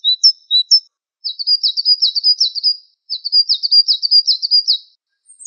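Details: On a masteran recording, a Java sparrow begins with a few thin, high chirps, then gives two long, rapid trilling phrases of buzzy twitters, separated by a short break.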